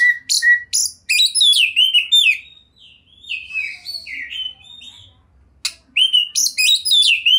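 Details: Champion Oriental magpie-robin (kacer) in vigorous 'gacor' song with a rich full repertoire: sharp high chips open, then slurred whistled phrases dipping and rising, a pause, and another burst of bright varied notes.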